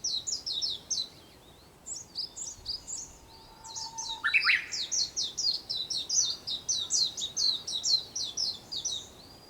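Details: Japanese bush warbler during the early-morning sunrise of 4 May 2021, giving a low held whistle that leaps into a short loud flourish, amid a dense, bright, repeated chirping chorus of other birds.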